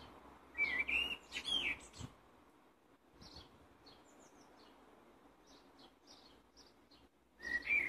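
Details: Blackbird singing a loud fluty whistled phrase. Faint high chips follow over soft background hum, then another bright whistled phrase closes.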